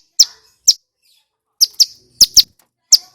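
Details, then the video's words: A loudly singing male Bar-winged Prinia gives about eight sharp, very high chip notes, some paired, with short irregular gaps between them. "Suara Asli Ciblek Gunung GACOR"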